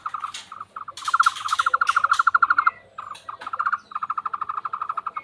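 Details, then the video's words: Frog-like call of a tohtor bird: rapid mid-pitched pulse trains in several runs, some louder and longer, with brief pauses between, plus scattered sharp clicks. "burung tohtor suara mirip kodok"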